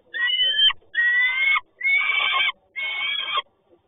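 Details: Peregrine falcon at Toruń, 30 May 2019, mid-morning: four drawn-out, grating, whining calls of under a second each, spaced roughly every 0.9 seconds, with no other sounds between them.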